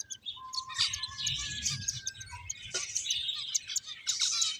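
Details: Playing finches give a steady stream of sharp, high chirps and short tweets, with a few thin level whistled notes threading through the chatter.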